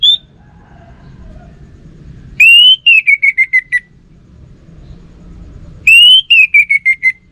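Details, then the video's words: Orange-headed thrush, a kept bird, giving two loud clear whistled phrases, each rising briefly then falling in a stuttering series of five or six pulses, about three and a half seconds apart. "Burung ANIS MERAH Lansung Nyaut Gacor Tanpa Henti"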